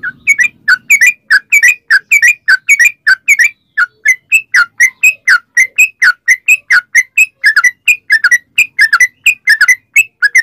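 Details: Singing yellow-vented bulbul, a recording used to provoke other bulbuls to answer: a long, steady stream of short liquid whistled notes and chirps, about ninety a minute, varying slightly in pitch.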